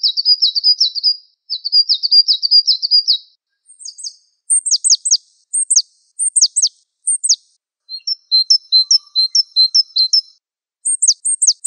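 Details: Java sparrow song opening with two buzzy rattling trills, followed by paired high notes that slide steeply downward, a patch of soft twittering, then more sharp downslurred notes.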